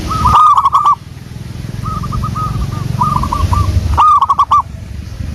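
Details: Zebra dove, a local wild bird, singing as a lure: loud rapid rolling coos at start and end, softer stuttering coo phrases between, over low steady background rumble.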